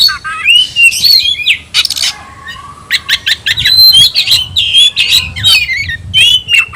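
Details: Oriental magpie-robin kept in a cage, singing a 'tayoraky'-style variant. A continuous, energetic stream of mixed whistled slurs, rasping chatter and clipped notes is delivered with barely any break.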